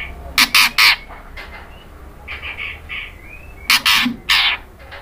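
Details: Female white-rumped shama calling for the male: triplets of loud harsh grating notes at start and end, with softer buzzy notes and a faint rising whistle between.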